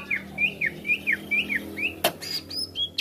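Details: Greater green leafbird song used as a tutor sound to rouse other birds. A steady series of alternating rising and falling slurred whistles, a sharp snap, then a few high thin notes.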